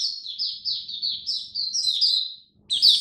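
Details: Oriental white-eye kept as a hobby songbird, its diet adjusted for cold, rainy weather, 8 October 2022; rapid high twittering phrases of short descending notes, briefly pausing before a bright, louder burst, with a faint low hum behind.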